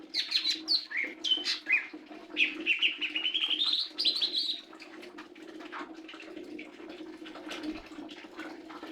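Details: Lesser green leafbird song: fast twittering and sweeping whistled notes in a lively phrase for about five seconds, then quieter scattered chirps over a low steady hum.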